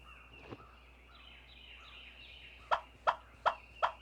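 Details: Wild turkeys at daybreak, after flying down from their roost, give assembly calls telling roosting birds the flock's location; here four loud, evenly spaced yelps about a third of a second apart, after a quiet stretch of faint high bird calls.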